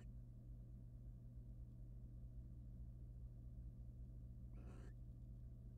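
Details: In a nest box used by wild barn owls, where the male preens his mate, one brief grating screech comes near the end after a long stretch of steady hum.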